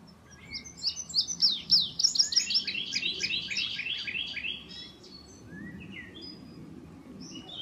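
A young indigo bunting sings a bright, high run of paired, sweet notes that step downward over about four seconds, with a few faint chips afterward.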